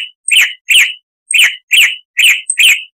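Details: Chalk-browed Mockingbird (Mimus saturnin) giving harsh, rasping song notes for training cage birds: six short coarse notes, each with a brief rising-then-falling slur, delivered in pairs with short gaps; nothing else audible.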